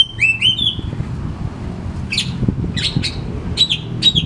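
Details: Oriental magpie-robin singing to stimulate silent birds: two quick downslurred whistles open, then a pause and a series of short harsh, scratchy notes ending in thin whistles, with low hum behind.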